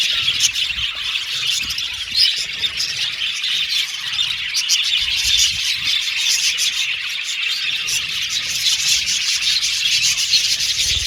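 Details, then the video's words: Several Australian budgerigars chirping happily: a dense, continuous chatter of high tweets, warbles and short chips with no pauses, overlapping voices filling the whole stretch. "Beautiful Cute Budgies Chirping Sound | Australian budgies Singing sound"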